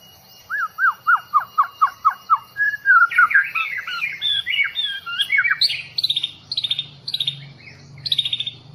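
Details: Newly caught long-tailed murai bahorok (white-rumped shama) from the Bahorok forest: about eight sharp downslurred notes at roughly four per second, then a jumbled burst of varied, higher whistles and chattering phrases.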